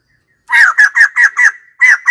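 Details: Loud, rapid run of seven harsh, slightly downslurred laughing notes from white-crested laughingthrush, delivered in quick succession with one brief gap.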